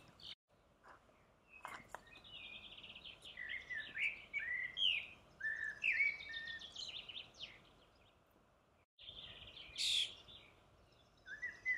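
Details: A common starling sings on 18 June 2018, a rambling jumble of whistles, clicks, rattles and squeaky notes with brief pauses, over a light background hiss.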